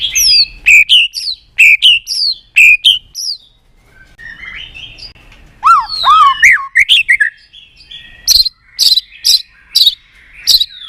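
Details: Stimulating song of a White-rumped shama for song contests; sharp descending notes in quick groups, a pause, lower looping whistles, then loud, clipped high notes repeated about twice per second.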